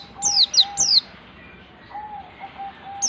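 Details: White-eye ngalas-style song, learning to nembak: three bright, high, falling whistles in quick succession, then a pause with a soft steady lower tone before another whistle starts.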